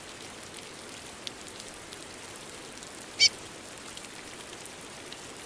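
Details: In falling rain, a female curió gives a single short, bright, high-pitched chirp against a continuous patter of raindrops.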